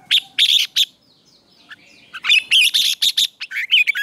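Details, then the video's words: Red-whiskered bulbul singing in the morning, kept for song-contest training: bursts of bright, rapid warbled chirps, a phrase near the start, a quiet gap, then a denser run of loud varied notes with twisting whistles. "Luyện chào mào hót sáng hót hay"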